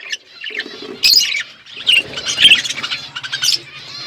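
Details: Budgerigars in a flock in an outdoor aviary give scattered sharp chirps and short squeaky warbles between quieter gaps.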